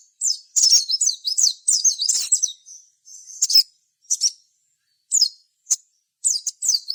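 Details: Lively sogon singing meant to provoke rival birds into answering: fast looping high whistled notes in a busy opening burst, followed by separate short chirps and small twittering clusters.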